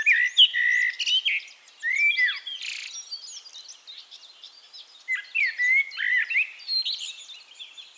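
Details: Eurasian Blackbird in continuous song at Castricum, the Netherlands: dense, varied phrases of fluty whistles and slurred notes mixed with high chattering squeaks, hardly pausing.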